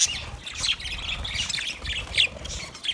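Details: Budgerigars chirping for a lonely bird: sharp squeaky squawks and quick chirps pop out every half second or so over a bed of softer overlapping chatter.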